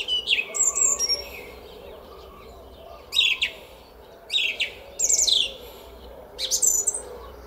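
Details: A song thrush sings in a garden in Szalkszentmárton at 06:15, 10 April 2021, spring morning. Brisk phrases of sharp whistled and trilled notes come in bursts about every second to second and a half, separated by short silences.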